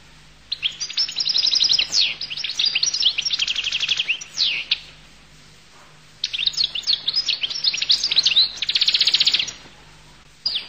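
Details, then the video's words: Goldfinch delivering long phrases of fast, liquid twittering and trilled notes, two main bursts of several seconds separated by a short silence, ending with a brief new phrase. "تغريد حسون القل"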